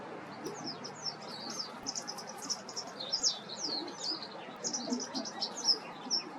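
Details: White wagtail uttering high, scratchy twittering phrases in loose bursts over steady low background noise.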